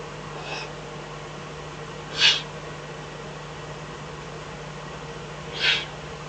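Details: Eurasian eagle-owl in the Eifel at night, 24 May 2014, between 03:40 and 04:18, with a fox brought as food. Two loud, breathy hissing bursts about three seconds apart and a faint earlier one, over a steady low hum.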